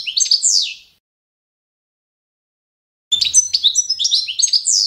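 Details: Competition-standard song of the Balkan goldfinch, Carduelis carduelis balcanica, meant for schooling birds: a short twittering phrase ending in a falling slur, a long silence, then a fast jingling run of high, liquid notes.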